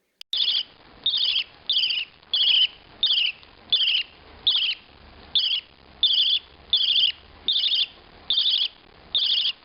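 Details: Pet budgerigar giving a run of short, raspy, gurgling begging calls, about thirteen in ten seconds, each a harsh burst at a steady pace. Such calls come mostly from males urging a partner to feed them during courtship, and also from nestlings.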